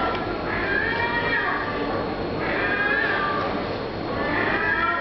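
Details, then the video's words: Gulls screaming after closing time at the Rialto fish market in Venice, Italy: drawn-out harmonic cries that slide downward, repeated every second or so over a steady hum of city and crowd noise. "screaming seagulls"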